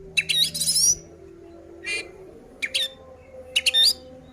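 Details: Oriental magpie-robin in fighting mode to provoke other birds, giving short harsh rasping bursts with thin rising whistles, spaced roughly a second apart over low hum.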